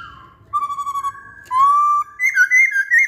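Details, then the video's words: Lively singing masked laughingthrush gives clear whistles, some pulsed in quick beats, others held and gently rising, stepping up to a higher warbled phrase at the end. The room is otherwise quiet. "Burung Poksay Hongkong Gacor"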